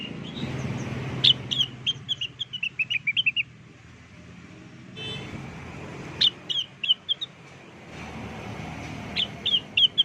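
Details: Blue-winged leafbird song used as a lure: a rapid run of clear whistled notes sliding downward, then two shorter bursts later, against a noisy low rumbling background.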